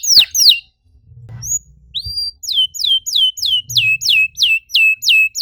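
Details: Canary song meant to spur other canaries to sing: two sharp downslurred notes, a brief pause with faint low thumps, a few rising whistles, then an even series of descending whistles repeated about three times a second.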